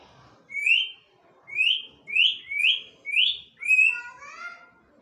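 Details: African grey parrots, a bonded pair kept indoors, giving six bright upslurred whistles about every 0.6 seconds, the last breaking into a warbling, descending run.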